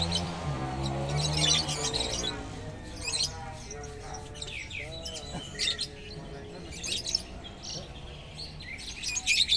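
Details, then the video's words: Lovebirds at a bird-singing contest give long runs of shrill, rapid chattering and squeaky twitters packed with high buzzy notes, over voices, music and low background hum. "love bird konslet"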